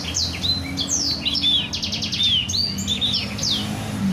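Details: Rolling song of a black-throated canary, used as a learning model for canaries: clear whistled downslurs, a brief rattling trill, and rising sweeps in quick succession, with faint low background hum.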